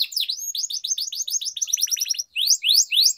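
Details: Canary singing in a training recording for young birds and for canaries that have stopped singing, with long rolling phrases: fast series of high, downswept whistled notes repeated in quick trills, ending in louder sharp rising notes.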